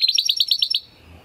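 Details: Timbrado Español canary, a male born in 2020 from rated parents, singing a training song to teach other canaries: a rapid series of about eight identical bright notes, roughly ten per second, lasting under a second, then quiet.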